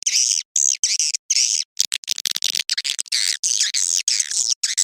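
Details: Swiftlets calling at dusk in a lure recording for attracting them: high, buzzy twittering phrases cut into short bursts, with a flurry of quick clicks in the middle.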